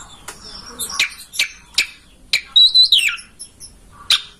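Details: Oriental magpie-robin (kacer) master song for prompting a kept bird to fan its tail and sing; a run of sharp clicking notes about every half second, broken by one brief warbled whistle.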